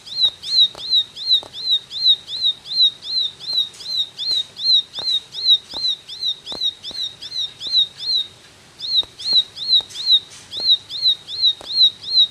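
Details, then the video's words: Ashy tailorbird (ciblek) singing in the rapid 'tembakan' style: sharp, high, slurred chip notes repeated about two to three times per second in a steady run, with one brief pause midway and faint clicks in the background. "Tembakan Ciblek Gacor"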